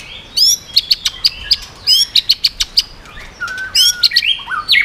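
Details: White-rumped shama in the 'yến reo' song style, meant to strongly provoke other birds: crisp rapid ticking notes with sharp whistled accents, then a lower whistled phrase and a buzzy rising ending.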